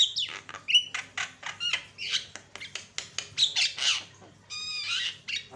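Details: Javan myna song used as a lure to provoke other mynas: a rapid jumble of harsh squawks, clicks and brief whistled notes, bursting every half second or so, mostly high-pitched.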